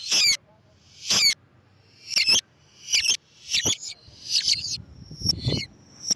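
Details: Lovebird voice played to lure lovebirds: loud, harsh, rasping screeches in bursts about a second apart, growing more broken and chattery, ending in a couple of thin, high chips.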